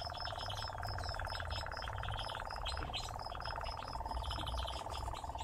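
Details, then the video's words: Nightjar singing while interacting with a person: a sustained mechanical churring trill runs throughout, with regularly repeated thin high ticks above it and a low background rumble. "Поющий козодой"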